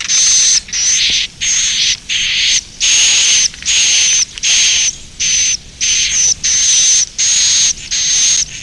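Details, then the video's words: Roosting call of edible-nest swiftlets: a steady run of harsh, hissing buzz blocks with a fine high tone running through each, about a dozen bursts separated by short silent breaks. "Suara inap Walet"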